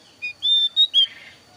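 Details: A thin-browed Javan grey-throated white-eye lure song fragment: one short note, then three longer pure whistles, each slightly higher or dipping, delivered within about a second over a quiet background.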